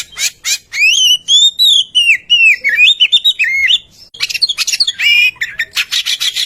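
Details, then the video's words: Oriental magpie-robin singing as a lure for other birds: a long flowing whistled phrase that wavers and dips, then a short gap followed by dense scratchy chattering notes. "Kicau Merdu burung murai kampung suara pemikat"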